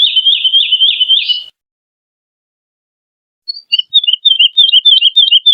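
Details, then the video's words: Melodious woodlark song in two phrases split by a pause of about two seconds. Each phrase is a fast series of repeated, liquid, warbling notes, the first steady and the second rising slightly. The background is clean. "BURUNG WOODLARK ‼️GACOR SUARA MERDU"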